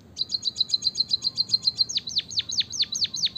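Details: Singing white-headed munia, a recording meant to coax lazy munias into song: a rapid even train of short high ticking notes, then a series of slurred notes dropping sharply in pitch, roughly two and a half per second.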